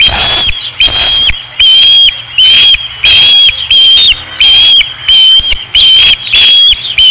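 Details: Osprey calling at the nest, Dunrovin Ranch, 5 August 2016: loud, shrill whistled notes given in a regular series, roughly one and a half per second, each a sharp upslurred cry, with some windy rushing noise.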